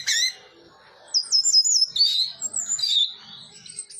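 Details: Orange-headed thrush song: a short low note, a pause, then high, quick, squeaky twitters and thin whistled slurs running on for about three seconds.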